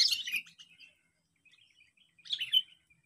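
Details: Sooty-headed bulbul calling to draw in and challenge rivals, with a burst of rich, bubbly notes, a soft twittering pause, then another rolling phrase ending in a clear whistle.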